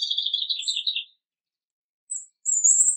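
A European robin sings a high, quick warbling phrase that wavers and tumbles down, then, after a pause, gives thin, sweet whistles at a very high pitch.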